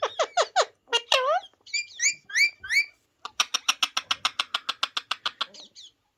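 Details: Ringneck parrot talking: harsh, buzzy chattering notes and rising squawks, then a fast, even string of about fourteen rasping pulses before fading.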